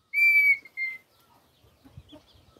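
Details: Red-winged tinamou recorded as a new season begins: one long, level, pure whistle, then a shorter whistle at the same pitch, followed by faint scattered rustles and soft knocks.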